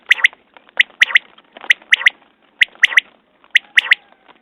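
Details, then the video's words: Common quail calling: sharp three-note phrases, the first note separate and the last two quick and clipped. Each phrase is repeated about once a second in a steady series, with little else audible. "Batair Ki Awaz New Quail sounds 2019"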